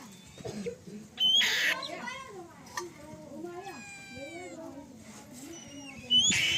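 A young black-shouldered kite gives thin, wheezy whistles and squealing harmonic calls, some sliding downward, with brief sharp bursts and human voices murmuring underneath.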